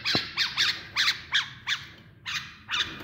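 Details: Pet bulbul kept tame and being trained for mating gives sharp, sliding chirps, often doubled, repeated roughly every third of a second with a brief pause midway, in a quiet setting.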